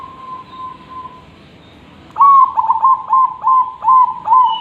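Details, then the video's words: Zebra dove singing, a recording meant for training other birds: a soft sustained tone gives way to a run of seven loud, hooked, bubbling coos spaced about a third of a second apart. "Perkutut Gacor,, cocok untuk masteran..!!!"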